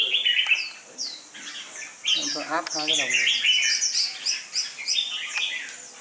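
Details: Red-whiskered bulbul, a plain red-marked, mid-sized, thin-feathered bird with a dark bib, being conditioned for competition and described as a fierce fighter, gives bright warbled chirps, while a lower voice-like sound comes through midway.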